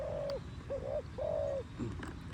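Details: A dove calling close to nightfall, giving three drawn-out, even coos with faint background hum.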